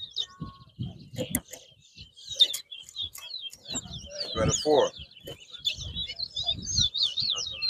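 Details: Competition towa towa at Bath Settlement, Guyana, in 2022: scattered high chips at first, then a fast run of twisting, warbled whistles building toward the end, with voices and knocking sounds in the background.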